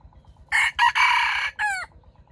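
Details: Wild red junglefowl, trapped with bait, crowing loudly: one hoarse crow with a harsh, broken opening run and a shorter final note that drops away abruptly, over a faint low hum.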